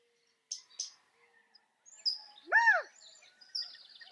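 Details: California quail giving one loud arched call that rises and then falls, with harmonics above it. Sharp high chirps and ticks from other small birds come before and after it.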